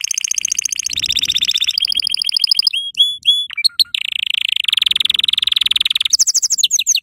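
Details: Yellow canary song used for teaching young canaries to sing: a loud, continuous run of rapid trills and rolling tours, changing every second or so between buzzy rattles, pure whistled notes and chopped chirps, with no other sounds.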